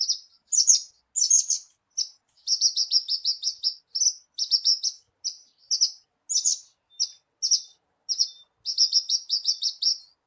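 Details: Branjangan (Horsfield's bush lark) lure song meant to make a kept bird sing readily: dense chattering phrases of rapid high buzzy notes, broken by short pauses, some thin whistled tails.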